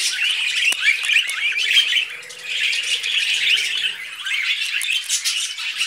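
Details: Budgies eating vegetables produce unbroken high chattering: scratchy warbles, squeaks and quick chirps overlapping without pause, with one sharp click early on.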